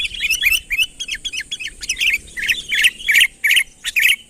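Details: A sooty-headed bulbul calls loudly to lure a rival nearer, giving rapid chattering bursts of bright, slurred whistles that grow louder toward the end, over a low background murmur.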